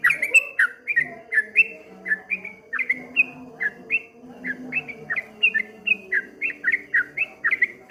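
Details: Streak-eared bulbul delivering the wave-like 'ropel ngombak banyu' song, a continuous run of short, swooping whistles, each slurring up or down, kept up without a break over a low background drone.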